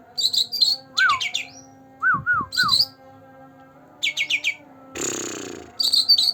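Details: Young green leafbird, two months old, singing actively as a prompt for birds that seldom sing: high chirp clusters, slurred mid-pitched whistles, descending trilled series and a loud hissing burst near the end.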